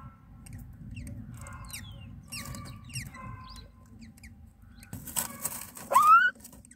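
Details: Myna nestlings at feeding time: scattered short sweeping chirps and squeaks, then a burst of wing flapping and rustling, followed by a loud rising whistled note.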